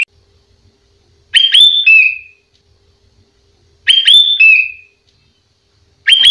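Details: Master recording of a sooty-headed bulbul in active song, with mimicked phrases of prized birds, for training other bulbuls; short bright whistled phrases ending in a falling slur, repeated about every two and a half seconds with quiet between.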